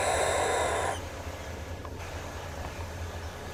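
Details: A single rasping, breathy screech from a barn owl lasting about a second, cutting off abruptly into a low steady hum.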